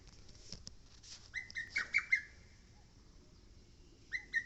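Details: On Mount Oike, a lesser cuckoo delivers a run of loud slurred whistles after a few faint clicks and rustles, then a short quiet gap before two more notes begin another phrase.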